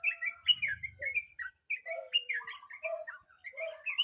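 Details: Dawn alarm of a sooty-headed bulbul, a jumble of quick chirped and slurred notes, some higher and some lower, with brief pauses, set against a faint continuous high pulsing tone and a short low rumble early on.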